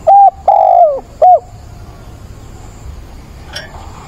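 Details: Decoy spotted dove on 17 September, calling to attract a mate: a crisp three-note coo phrase, short note, long falling coo, short note, then near silence.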